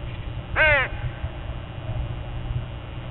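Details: Dawn with a flock of crows: a lone loud caw, coarse and rich in overtones, then only a soft low rumble.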